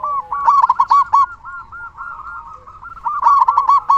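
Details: Loud local zebra dove, a frequent singer kept to stimulate other doves into song, delivering a continuous rippling coo, louder rolled bursts at the start and near the end, softer repeated notes in between.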